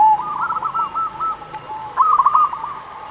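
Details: Local zebra dove used to encourage silent doves to sing, giving soft cooing phrases: a rolling series early on, a brief lull, then a louder, quicker burst of coos.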